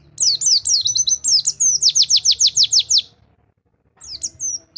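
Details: A training song for silent white-eyes, in the rol tembak style. It opens with twisting high whistles, then a fast steady volley of about a dozen sharp descending notes, a pause, and a brief resumption.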